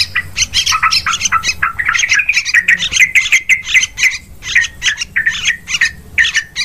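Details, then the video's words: Yellow-vented bulbul lure sound for catching birds in forest and farmland; continuous noisy, squawky chatter of rapid clipped notes with several slurred whistles. "Suara pikat burung trucukan"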